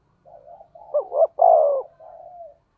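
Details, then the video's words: Spotted dove with a standard 'thổ sấm' (thunder) voice, used as a lure to stir up other doves; a soft low cooing opening builds into two short rising-falling notes and a long, loud, falling coo, then trails off. "Chim cu gáy giọng thổ sấm chuẩn // tiếng chim cu gáy kích bổi mới rất hiệu quả"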